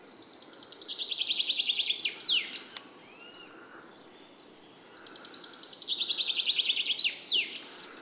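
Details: Red-necked tanager (Tangara cyanocephala), call.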